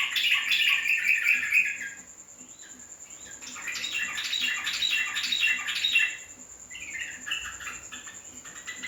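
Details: Yellow-vented bulbul singing bursts of bubbly, chattering notes in two loud phrases separated by a quieter stretch, over a steady high insect-like whine.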